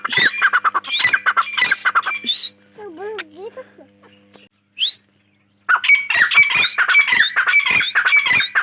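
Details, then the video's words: Grey francolin giving loud, rapid, grating repeated notes, broken midway by a lower whistled wavering tone and a short silence before the harsh series resumes. "Gray Dahkni teetar sounds"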